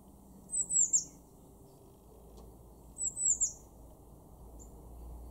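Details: Blue tit (Cyanistes caeruleus) in a garden in Weener, East Frisia, northwest Germany, in March 2024, giving two quick bursts of very high, thin, slurred notes about two seconds apart, then a faint third note, over a low steady hum.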